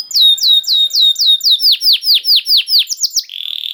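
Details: Singing canary, played as bait to prompt other canaries to sing: a run of high whistled swoops falling in pitch, about four per second, ending in a soft buzzy note.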